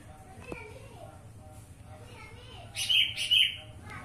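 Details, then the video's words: Black-winged bulbul giving two short, bright chirped notes in quick succession near the end, over a low background hum and faint room noise. "burung kutilang emas"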